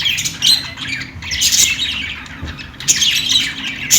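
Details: Short stretch of budgie chatter: grating, buzzy chirps with bright high notes, two dense bursts split by a brief softer moment, faint hum underneath.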